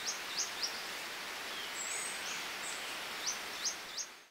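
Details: Hook-billed hermit (Glaucis dohrnii) recorded at Santa Maria do Salto, Minas Gerais, Brazil, giving thin, very high, downslurred notes in two quick bursts of three. Steady forest hiss runs underneath, with a faint higher whistle between.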